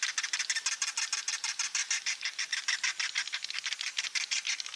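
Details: Edible-nest swiftlets giving a roosting call in the klepek-klepek style to attract others: a steady, rapid rattle of high, scratchy twitters at about three per second, repeated without pause.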